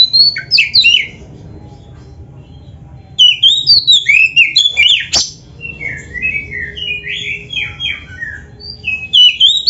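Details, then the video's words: Oriental magpie-robin (kacer) in full song filled with varied phrases: high, sweet, twisting whistles and chattering runs, a short pause, then bursts of rapid warbled notes repeating at an uneven pace. "SUARA BURUNG KACER GACOR ISIAN‼️Masteran Kacer Gacor ini Cocok Buat Pancingan - AGAR CEPAT GACOR"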